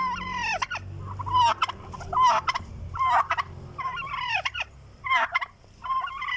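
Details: Hungry turkey gobbling in repeated bursts, roughly one per second, each a fast rattling, wavering series of notes that rises and falls, over a faint low background hum.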